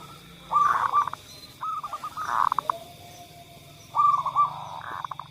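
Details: Zebra dove cooing played to stir quiet doves into song: three phrases, each a clear opening note sliding into a fast pulsed run, separated by a soft low drawn-out tone and background noise.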